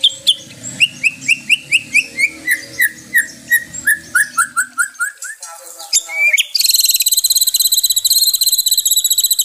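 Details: White-rumped shama song, offered as therapy for a stressed songbird: a long series of evenly spaced, falling whistled notes, then a brief rise, then a dense, high, buzzy trill held to the end.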